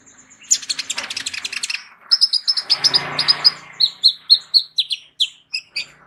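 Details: Van Hasselt's sunbird, a caged bird with a full, varied repertoire used to tutor other songbirds: a dense run of high rapid tweets, then clear repeated chirp notes at a steady pace.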